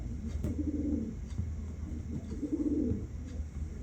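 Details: Pigeons lodged in the gap between a rooftop room's window and the neighbour's wall give two low, throaty coos at dawn in autumn. Each is a soft rolling phrase about half a second long, two seconds apart, muffled through the wall.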